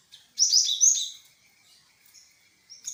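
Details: Great tit lure call used to make wild birds answer: a loud burst of high, sharp chirps and short trilled notes lasting about one second, followed by fainter thin chirps and a brief high note at the end.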